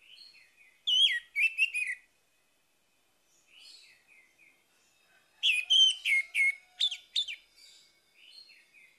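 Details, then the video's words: Orange-headed thrush in morning song, used to make a stalled bird resume singing: a short run of bright, slurred whistles, a quiet interval with soft notes, then a denser burst of varied chirps and downward-sweeping whistles. "PANCINGAN ANIS MERAH PAGI HARI MENGATASI ANIS MERAH MACET"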